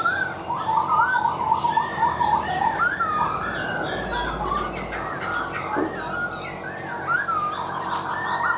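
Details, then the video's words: A laughingthrush sings a rich, varied run of whistled, warbling phrases, rising and falling in quick succession, over a steady background hiss with fainter chirps above. "Chim khướu mộc dở , a e thẩm giọng cực hay luôn"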